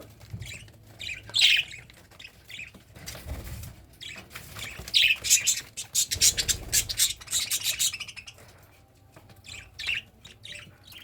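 A cockatiel sings bright, chirpy whistles and squawky warbles in irregular bursts.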